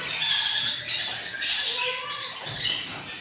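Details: Hungry four-day-old budgerigar chicks from a breeding pair, three hatched of eight eggs; loud, high, grating squawks run almost continuously in rough pulses.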